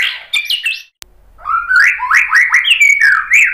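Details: A White-rumped shama, its song used as a lure to set other birds singing, gives a short whistled burst, falls silent for a moment, then returns with a string of rising, slurred whistles about three per second.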